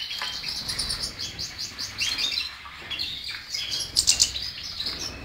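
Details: Goldfinch song packed with rapid high twitters and chirps in quick succession, with liquid rolling phrases and a sharper tinkling flourish late on, sung almost without pause.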